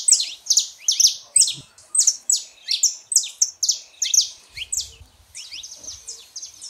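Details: Male and female saffron finch singing to encourage a silent canary; fast series of high, piercing, slurred chirps repeated steadily, softening slightly toward the end.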